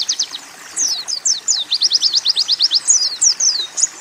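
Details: Training song of an Oriental white-eye with canary and sunbird phrases, a quick run of high downslurred notes, about three per second, rising into a steady series of sharp repeated chirps.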